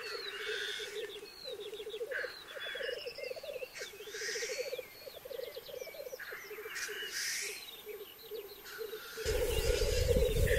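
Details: Black grouse at the lek in 2023, where rivals fight before mating: pulsing bubbling phrases repeated several times a second, with hissing sneezes and a chorus of chirping birds, then rumbling near the end.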